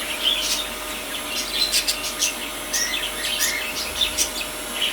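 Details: Pet rosy Bourke's parakeets taking a rare bath; short high chirps and thin whistled tweets scattered irregularly, mixed with steady splashing water hiss throughout.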